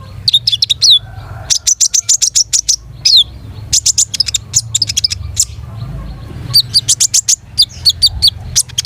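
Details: Long-tailed shrike in sustained, rich song: long rapid trains of high, sharp chirps and quick down-slurred whistles, pouring out almost without pause, with a faint steady low hum underneath.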